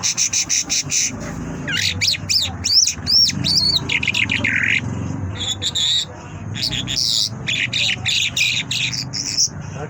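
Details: A Mashhadi lark sings a rapid, varied song of bright chirps, trills and sweeping whistles, mostly high-pitched, with quick mimic-like phrases and faint murmuring underneath.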